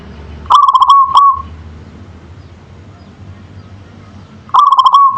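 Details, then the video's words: Local perkutut, the zebra dove, in manggung song: two phrases about four seconds apart, each a rapid series of soft coos that finishes with a sustained tone, with quiet hiss between them. "Suara Perkutut Lokal Manggung"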